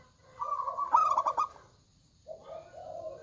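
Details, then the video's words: A local zebra dove, noted for a loud voice, sings a rolling coo phrase that builds into quick stuttered pulses. A pause follows, then a softer, lower drawn-out coo begins. "PERKUTUT LOKAL GACOR Suara Besar"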